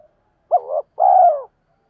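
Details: A single low phrase from a decoy spotted dove, used to train decoys and call in wild birds: a brief wavering note, a short gap, then a longer, steady, gently falling coo.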